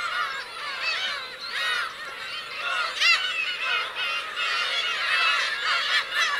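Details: On 17 June 2021, a black-tailed gull colony of adults and young at Kurosaki, Teuri Island, Hokkaido, Japan, keeps up an overlapping chorus of mewing, arching calls. One sharper cry rises at about three seconds.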